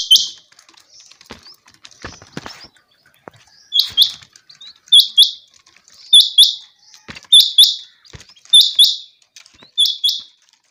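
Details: Quail, the changa (chinga batair) quail, one of two caught birds, calling for hunting lure use: sharp high paired notes repeated roughly every 1.2 seconds after a quiet start with faint rustling and soft clicks.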